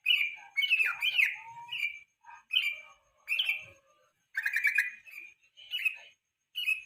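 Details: Evening song of a yellow-vented bulbul, meant to coax and train songbirds for national contests: a string of short, liquid, gurgling phrases with irregular gaps, some slurring down, others with brief twittering.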